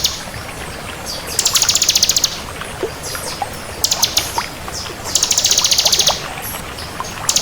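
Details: Crystal bar-winged prinia singing energetically: three bursts of rapid, very high, evenly pulsed trills, each about a second long, with scattered sharp notes between, over a constant hiss.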